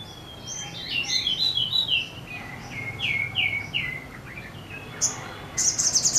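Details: A wing-opening sogon in full, energetic song: a fast chain of descending chirped notes, followed near the end by a rapid, very high ticking rattle.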